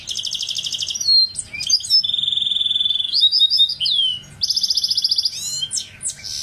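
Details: Varied song from a goldfinch hybrid, mixing buzzy trills, a long steady rattle, bubbling whistled phrases and sharp sweeping notes, each section changing after a second or so.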